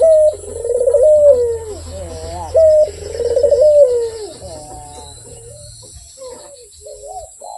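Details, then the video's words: A Barbary dove gives two full coos, each a bright level note followed by a pulsed downward-gliding roll. Quieter, fragmentary coos follow as the calling fades. "SUARA BURUNG PUTER GACOR || BERSUARA MERDU"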